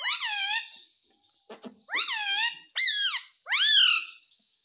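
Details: Ringneck parrot talking indoors, with four loud, rich, nasal syllables in speech-like rising-falling contours, separated by short pauses and a couple of faint clicks.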